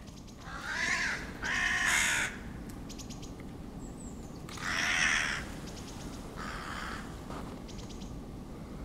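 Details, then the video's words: Hooded crows attacking a Ural owl in Moscow's Main Botanical Garden on 28 February 2011 give harsh, grating caws in loud bursts of about a second, with quieter rasping calls between, over a low background rumble. "Вороны атакуют"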